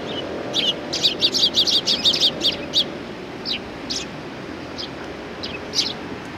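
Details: Sparrows coming to be fed, recorded 8 September 2020; a rapid burst of bright, high chirps repeated about three times a second for two seconds, then scattered single chirps, over steady background noise.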